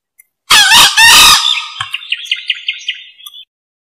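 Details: Green junglefowl call, recorded for use as a lure: a loud, harsh two-part burst followed by a run of about eight short, high, evenly spaced ticking notes that fade out.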